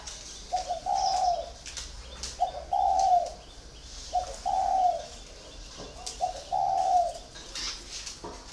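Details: Caged spotted dove, kept four years in its cage, cooing a low hollow phrase: a short note then a longer wavering coo, repeated four times at roughly two-second intervals, with faint background hiss.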